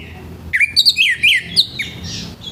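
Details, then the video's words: Morning song of an orange-headed thrush, its rough voice meant to spur other thrushes into singing: after a quiet start, a burst of bright, slurred whistles and warbled notes changing pitch rapidly, then a short hissing note. "ANIS MERAH NGEPLONG PAGI‼️SUARA KASAR BIKIN ANIS MERAH BAHAN CEPAT BUNYI‼️"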